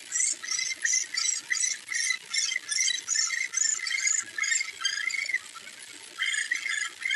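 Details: Red-cockaded woodpecker (Dryobates borealis) nestlings in a nest cavity at Warren Prairie Natural Area, spring 2012, checked with a nest camera: harsh, buzzy begging chatter, about two bursts per second, a short lull near the end, then resuming.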